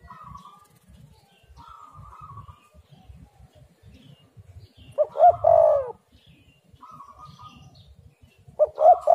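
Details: Spotted dove cooing in a recording used to lure other doves into calling: soft level hums, then a loud rolling coo phrase, and another starting near the end, over steady low-pitched noise.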